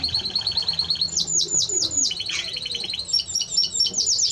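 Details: Timbrado Español canary song of rapid high notes, then a series of sweeping downward-slurred chirps about five per second, followed by fast trilled phrases.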